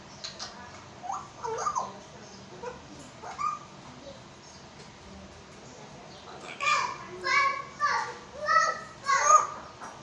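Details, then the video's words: Talking African grey parrot, a pet in Pakistan, said to speak Urdu: soft mumbled speech-like phrases, then a louder run of harmonic, voice-like syllables with clear whistled tones, repeated in short bursts. "Parrot talking in urdu | Talking african grey parrot videos"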